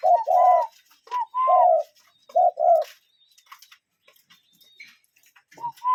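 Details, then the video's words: Wild cuckoo in a natural setting giving hollow two-note calls, a brief upper note then a fuller lower note, several in quick succession, then a pause with faint distant chirps before calling resumes. "Relaxing Cuckoo Bird Sound in Nature"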